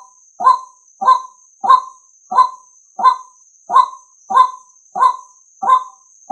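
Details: Calling male White-breasted waterhen, recording meant for luring males: clipped, rough, goose-like notes repeated regularly about every 0.6 seconds, ten in the series, with a continuous high electronic hum underneath.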